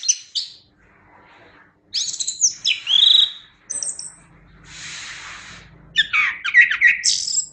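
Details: Chestnut-capped thrush in full song: short high chirps, a gap, then rich slurred whistles and a raspy hissing phrase, ending in a busy high warble; faint low hum in the background.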